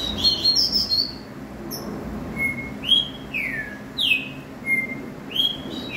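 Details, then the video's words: Green-winged saltator (trinca-ferro) singing loud, clear whistled notes, some sliding up and others dropping, delivered in a quick series about every half second in a quiet room. "QUAL É O CANTO DESSE TRINCA FERRO?"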